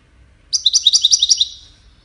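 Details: Goldfinch singing, a song used in courtship and communication: a short burst of about ten rapid, high, sweet twittering notes lasting roughly one second, quick and evenly spaced, against a quiet background.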